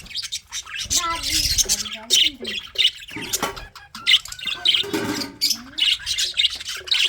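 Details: Colony-bred budgerigars chattering nonstop: overlapping sharp chirps and buzzy squawks, with some lower warbling tones running beneath the busy chorus.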